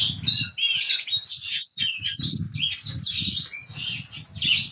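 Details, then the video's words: Oriental magpie-robin of the spotted 'trotol' type in full song, mimicking a lovebird: dense, rapid high chirps and squeaky twitters almost without pause, with brief harsher notes, over a low throbbing rumble. "kacer trotol habis mambung nelan lovebird"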